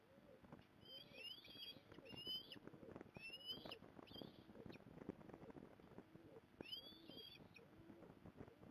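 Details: Osprey on a Port Lincoln, Australia nest on 15 November 2020 as the mother helps; clustered short whistled chirps, rising and falling, over steady rustling and crackling sounds.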